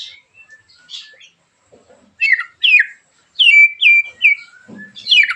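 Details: Murai batu, or white-rumped shama, in sharp 'tembakan' song meant to draw other shamas into singing; soft scattered notes give way to loud, clipped, descending whistles in bursts, with a brief low rustle near the end.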